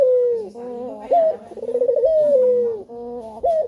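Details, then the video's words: Male spotted dove calling to lure other doves into song: long falling coos alternate with a short abrupt upward note and a quick bubbling trill, in a smooth continuous pattern. "Puter Jantan Yang Gacor Suara Pancingan nya Sanggat Menggoda"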